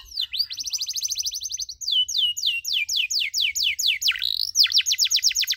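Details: Canary song used as training audio for teaching other canaries short cuit-cuit chirps: rapid trills of short descending notes, then slower repeated downward-sweeping whistles, ending in quick bright trills.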